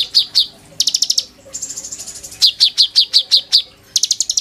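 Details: Oriental magpie-robin song used as a training master: clipped high chirps in pairs, a quick buzzy trill, a sustained high whistle, then a steady run of evenly spaced sharp notes and another rapid trill.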